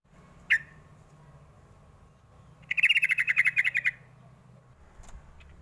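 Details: Young sooty-headed bulbul lure call, meant to draw young birds into answering: one sharp chirp, then after a pause a rapid bubbling run of about a dozen bright chirps lasting just over a second, with a low background hum.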